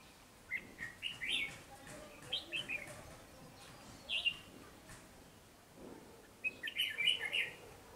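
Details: Several quick chirping phrases from a wild-caught red-whiskered bulbul, praised as an eager, fast singer. The phrases are spaced a second or more apart, and a longer, denser bout closes the passage.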